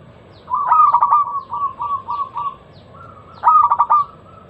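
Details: Zebra dove lure song for local perkutut: a stuttering burst of coos, then a string of four short separate coo notes, a pause, a long soft tone and another rapid rolling burst.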